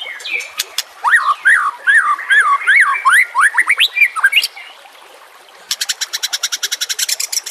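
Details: White-rumped shama song used to train captive birds: a run of clear slurred whistles rising and falling, about eight in a row, then a short gap and a fast series of sharp buzzy repeated notes.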